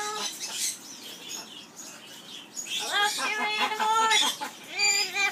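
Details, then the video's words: Amazon parrot singing skimmeradinkadinkadink in an aviary: soft breathy sounds, then a burst of rich, level harmonic notes repeated in a quick chattering series, ending in short nasal hoots. "Roscoe singing skimmeradinkadinkadink song"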